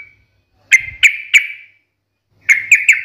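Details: Sooty-headed bulbul giving sharp, loud fighting-style song notes: three ringing, slightly falling chirps about a third of a second apart, a pause, then three more quick chirps.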